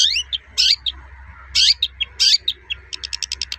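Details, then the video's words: Long-tailed shrike, a bird in lively song, giving toet-toet sounds to prompt other shrikes to sing: harsh, buzzy bursts mixed with slurred notes, ending in a fast, even trill of short clicks. "Suara burung cendet gacor toet-toet"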